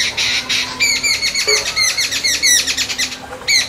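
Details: Continuous babbling of jungle babbler, known in Bengali as ছাতাড়ে: a steady stream of harsh, nasal squawks with ringing overtones, delivered rapidly and without pause.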